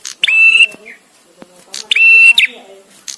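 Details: Bar-winged prinia, a visiting male, spaced for songbird training: two strong level whistles with clicking starts, about 1.7 seconds apart, with low murmured sounds in the background.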